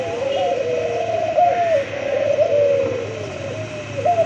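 A white dove coos in low, soft, rolling phrases that swell and fade every second or so, with a faint hum behind.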